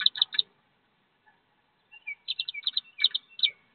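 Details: Wood duck ducklings leaving a nest box around 15 feet off the ground to join their mother. A few loud high peeps, a quiet pause, then repeated sharp peeps with some slurred lower notes.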